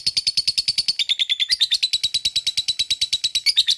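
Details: Lovebird giving a long ngekek trill, a song used to excite other lovebirds into singing: a rapid, steady run of sharp chirping notes, slightly dropping in pitch partway through, continuing without a break.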